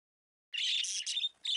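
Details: Trained pet budgie, a female, giving a short burst of high, scratchy chirps after a moment of silence, then a brief pause and another raspy note.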